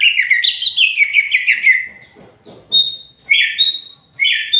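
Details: Greater green leafbird in full, lively song: a rapid run of chattering whistled notes that drift downward, a brief pause, then bright, sharp high whistles delivered in separate bursts.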